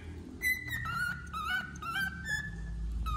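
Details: Wild-type male cockatiel singing while molting, a run of clear whistled notes sliding between two pitches, with short chirps breaking in, over low background rumble.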